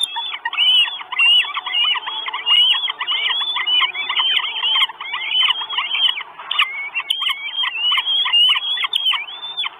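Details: Four Northern goshawk chicks at a nest in Estonia, filmed by a live nest camera on 1 June 2022, begging for food: continuous overlapping high, squealing whistles with rapid repeated notes, several voices calling at once throughout.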